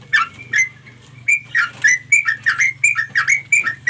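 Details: Sooty-headed bulbul calling to its companions. A few spaced chirps open, then a tighter string of clear, rising and falling notes follows, over a steady low hum.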